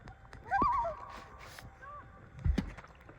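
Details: Common loon, with a baby nearby, gives one brief, wavering, quavering call near mid-pitch, followed by a soft low thump or voice and quiet background.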